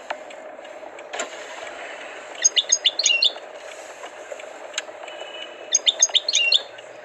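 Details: European goldfinch with tutored song: two short clusters of thin, high twittering notes against a noisy hissing background with occasional clicks.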